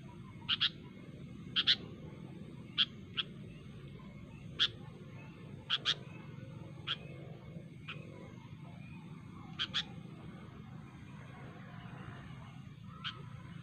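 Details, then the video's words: Wild sooty-headed bulbul in nature, calling sharply to rivals: short, clipped, sharp notes, single or in quick pairs, spaced irregularly about once a second, over a steady low hum. "suara burung kutilang gacor asli alam tanpa isian"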